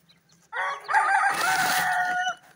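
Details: Grey francolin chicks at play: a loud, harsh, nasal call with stacked tones lasting nearly two seconds, slightly wavering in pitch, rising from a quiet background.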